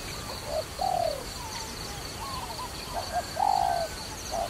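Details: Dove heard during trapping, giving low coos: a short note, then a longer drawn-out falling coo, repeated twice within a few seconds. Fainter coos and a steady high hiss sit in the background.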